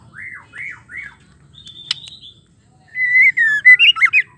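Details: Female white-rumped shama calling, a sound used to rouse male shamas into singing. Three soft falling whistled notes, a quiet pause, then a loud burst of rapid, twisting, slurred whistles and chattering notes near the end.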